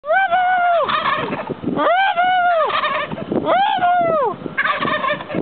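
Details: Turkeys answering a person who talks to them: loud rolling gobbles with rising and falling warbled notes, about four bursts in five seconds, overlapping one another.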